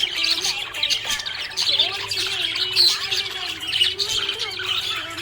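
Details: Happy budgerigar pouring out continuous high, buzzy chirps and squeaky twitters with short louder peaks, over faint low musical tones.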